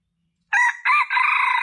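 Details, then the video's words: Junglefowl crow used as a lure to attract males: two short harmonic notes followed by a longer, buzzy, wavering note, set against a silent background. "Suara Ayam Hutan Pikat Jantan"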